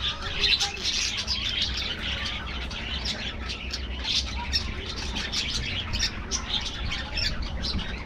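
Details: A budgerigar colony in an aviary keeps up an even, continuous chatter of high scratchy chirps and warbled notes at moderate volume.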